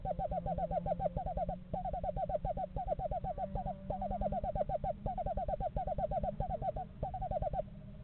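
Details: A pair of eastern screech owls in a yard in November, apparently house shopping, give rapid, stuttering trills of mellow notes in overlapping bursts of a second or two over a steady low hum.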